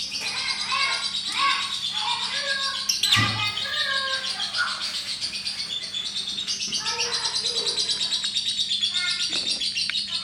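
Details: Lovebird chattering in ngekek style, a long rapid run of high buzzy trills mixed with short squeaky and whistled notes, continuing for ten seconds with a brief thump partway through and a low hum behind.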